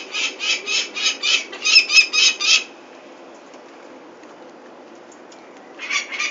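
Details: Peregrine falcon at Venlo on 21 May 2024, chicks being fetched for ringing: a quick burst of loud scratchy kek notes for under three seconds, silence, then the harsh calls start again.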